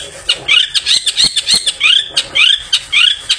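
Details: Long-tailed shrike after bathing, its voice suited to luring other shrikes in the afternoon: repeated grating, rising notes, roughly two per second, uneven in timing, in a harsh scolding series.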